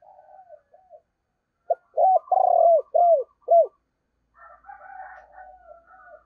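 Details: Spotted dove kept as a decoy bird, cooing in the 'giọng thổ' voice style: a run of five deep, rounded, falling coos in quick succession. Softer, higher murmuring coos come before and after.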